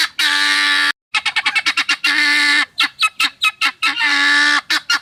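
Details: Guineafowl on a farm in Hérault, France, calling in vigilance or disturbance: long, harsh, buzzy rasping notes with a steady pitch alternate with bursts of short, clipped, repeated cackles, loud and close.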